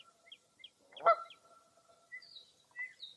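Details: Birds calling on a foggy early April morning at Mirror Lake State Park, Baraboo, Wisconsin: one loud harsh burst at mid-clip, with short high chirps before it and thin whistled notes after.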